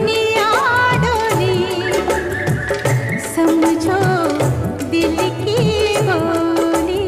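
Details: Bollywood-style music with singing and rhythmic percussion plays loudly throughout, with no animal voices.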